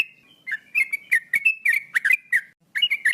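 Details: Male sooty-headed bulbul singing vigorously: quick bursts of short, liquid whistled notes at mid pitch, slurring up and down, delivered in a lively stream with a brief gap before the final phrase.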